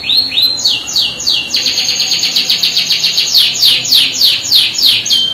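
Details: Canary singing loudly in a rolling style to provoke other canaries: rising and falling whistled sweeps leading into a fast even trill, then strong repeated descending notes about four per second.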